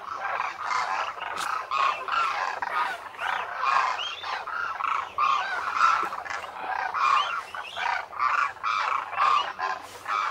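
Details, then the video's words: Thousands of migrant demoiselle cranes (koonj) wintering at a lake near Khichan, Rajasthan, India, in the Thar Desert; a dense, unbroken din of harsh purring trumpets and croaks from the whole flock. "DEMOISELLE CRANES of KHICHAN at the lake in THAR Desert | RAJASTHAN 🇮🇳 INDIA | BIRD sounds | KOONJ"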